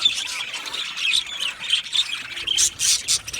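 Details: Budgerigars, Australian parrots, in an aviary colony, chirping and chattering together: a dense, continuous wash of high scratchy warbles and squawks with overlapping voices and no pauses.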